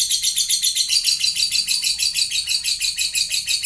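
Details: Lovebird song meant to draw replies from other lovebirds: a continuous high, rasping chatter of quick, evenly pulsed notes, roughly six per second, steady in loudness throughout.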